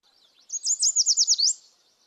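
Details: Yellow Warbler singing its 'sweet, sweet, sweet, I'm so sweet' song, typical early in the season: one quick, high, liquid phrase of about seven sweet notes, around a second long, ending in a bright upward flourish.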